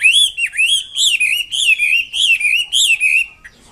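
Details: Chinese Hwamei singing actively: a sweet, loud stream of clear whistled notes that wave up and down in a steady rhythm, roughly ten phrases before it stops.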